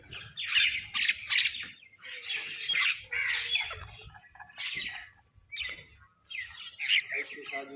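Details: Crows fighting for food: loud, rasping, broadband squawks in uneven bursts, some stacked two or three together, separated by brief silences, with faint low rumble underneath.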